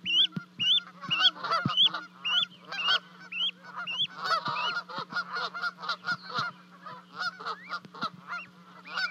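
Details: On a Montana livecam, 12 May 2020, two Charlo goslings call after dropping 30 feet from their nest to join their parents. Quick, regular whistled peeps lead into busier, overlapping chatter, with a low hum underneath.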